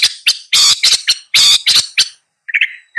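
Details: Long-tailed shrike giving loud, harsh grating calls in a rapid series, followed by a softer, higher squeaky note after a brief gap.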